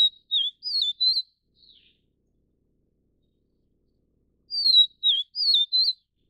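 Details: High, pure whistles from a Vivid Niltava of subspecies vivida in Taiwan: the four-note slurred phrase heard twice, separated by about three seconds of silence.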